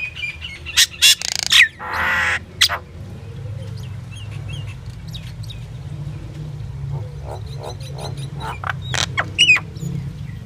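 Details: Singing common myna delivering loud harsh rasping bursts early on, then quieter scattered chirps and clicks, with a final cluster of sharp notes, all over a constant low rumble.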